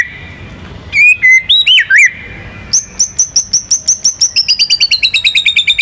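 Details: National champion white-rumped shama in lively song with rolling and shooting notes meant to prompt other birds to sing: looping whistled phrases, then a fast even trill of sharp, high notes that speeds up and falls slightly.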